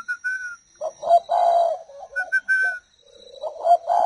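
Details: Spotted dove kept as part of a breeding pair. It makes deep, husky coos in short runs. High clear whistled tones sound before and between them.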